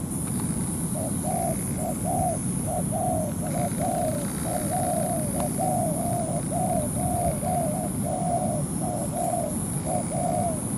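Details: Spotted dove decoy set on the ground to provoke a wild dove into a territorial fight, cooing continuously: a long run of evenly spaced soft rounded coos, some phrases longer and drawn out, with a faint steady whine behind.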